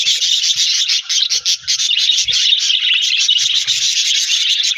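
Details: Australian budgies chattering with a new budgie friend, January 4, 2026: continuous rasping high chatter with quick pulsing chirps, a couple of brief dips in loudness, and occasional soft low knocks.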